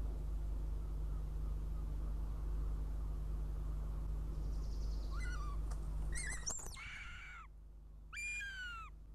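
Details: Young northern goshawk coming to its nest near Riga, Latvia, at dawn on 23 June 2017 for breakfast; a brief descending squeal, then a loud harsh burst and two wailing downslurred cries, with background hum dropping away midway.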